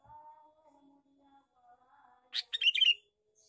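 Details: Male sooty-headed bulbul giving a lure call: after faint, soft background tones, a loud burst of harsh, rapid chattering notes rises in one quick rattling phrase lasting under a second.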